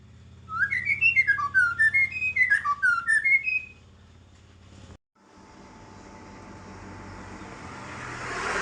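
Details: White-rumped shama in full, active song, used as a lure recording for songbird keeping: about three seconds of rich fluted whistles swooping up and down in quick succession, then a rising hiss.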